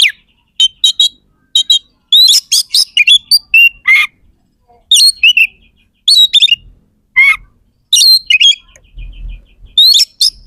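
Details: Oriental magpie-robin singing vigorously. It gives a rich mix of loud whistles, harsh buzzy notes and descending slurs in repeated bursts about every second, with a faint low thump near the end.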